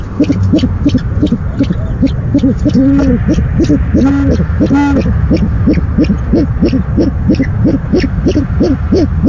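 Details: Owl recorded at night on 17 February 2015 as the male makes the first food delivery; fast, low pulsing notes continue throughout, with a few louder arched calls midway, over background hum.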